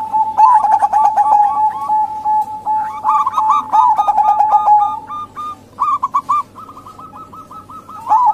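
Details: Zebra dove lure calls of local females, meant to draw out silent males; quick rippling coo bursts from overlapping birds, easing into a quieter stretch of evenly repeated notes before a final loud phrase.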